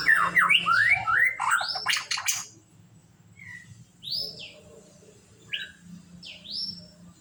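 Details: Melodious song of a white-rumped shama: rapid rich warbled phrases and harsh notes, then spaced clear whistles that sweep up or down, several seconds apart.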